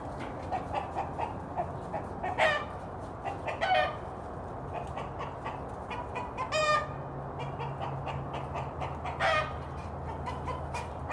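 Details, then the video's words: Rooster giving a danger signal so the hens go and hide when he spots a hawk or other threat; a series of short harsh clucking notes with louder squawks, low steady hum beneath. "Rooster Signal noise if there is hawk or danger"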